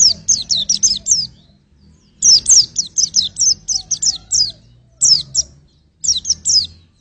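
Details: White-eye song used for vocal testing: long runs of high, quick, slurred descending chips, up to ten in a row, broken by short gaps, with a faint low hum in the background.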